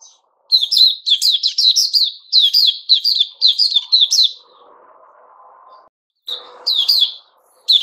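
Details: White-crowned shama kept in a cage while growing new feathers, 6 September 2021: a long run of quick, bright, repeated chirpy notes, then a stretch of low background hum before a few more notes.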